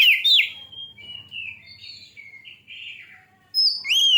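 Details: Oriental magpie-robin song used to provoke other birds to sing: sharp chirps, then long, smooth, wavering whistled notes gliding downward, ending with a loud upslurred whistle.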